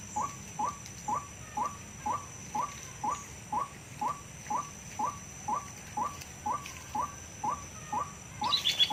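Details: Lure call of white-breasted waterhen, recorded from the wild and played to draw birds into a net trap: a steady series of short mid-pitched notes repeated roughly twice a second, with a brief scratchy noise at the end.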